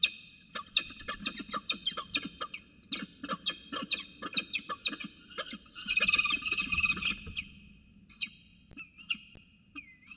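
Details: Peregrine falcons at a nest at Orange, CSU, recorded 5 January 2020: loud rapid series of harsh, harmonic kak notes, bursts of chattering peaking mid-way, then a few drawn-out rising and falling whines near the end.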